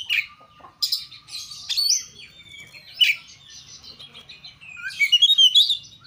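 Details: Song of an Oriental magpie-robin played to spur singing: scratchy bursts and bright whistled notes broken by quieter gaps, then a rapid twittering sequence of high sliding whistles.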